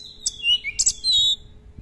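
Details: Oriental magpie-robin, a kept songbird, singing a short lure phrase for training other birds: a clear falling whistle, sharp high chips, then a long sustained bright whistled note.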